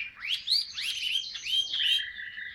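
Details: Captive Chinese hwamei in 'ngũ trường cao cầu' song. Bright, upward-swooping whistles and sharp slurred notes in quick succession, ending on a steady, lower held trill.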